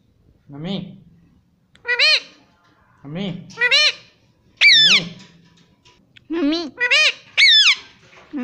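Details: Pet Indian ringneck parrot chanting 'mummy, mummy', repeated in two-part nasal phrases roughly every one to two seconds, each a low note followed by a higher bending squawk.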